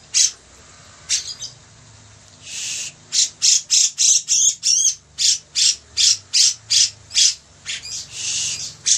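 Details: Bearded bulbul (cucak jenggot) in full song: loud, harsh, high-pitched phrases repeated roughly three per second in a steady run, with a few short sliding whistled notes between bursts.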